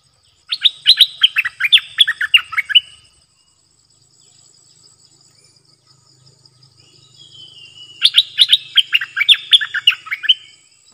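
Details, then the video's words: Stripe-throated bulbul song recorded in April 2021, caged bird answered by wild birds that came but would not land, possibly with young in a nest; two bursts of rapid, bubbly descending notes several seconds apart, a steady high tone behind. "Burung merbah lekir gacor"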